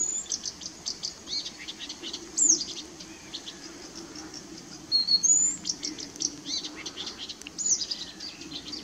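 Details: Blyth's reed warbler singing at RSPB Middleton Lakes on 18 June 2021: a varied stream of thin, high chips and short whistled slurs, some sharply rising or falling, over steady low background rumble.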